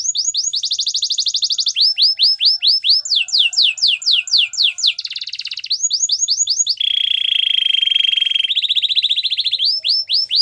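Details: Varied Gloster canary song: high rapid trills, repeated arching whistles in groups, a buzzy falling passage, then a long low rolling trill and more swooping notes.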